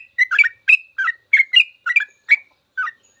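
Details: Sooty-headed bulbul full ropel song, kept as a master recording for teaching cage birds: a run of short bubbly chirped phrases around mid-high pitch, roughly three per second, with brief silent gaps and no other sounds.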